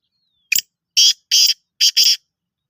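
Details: A black francolin at Rokhri gives a brief click, then four harsh, grating, high notes in a quick broken rhythm, the last two paired closely together.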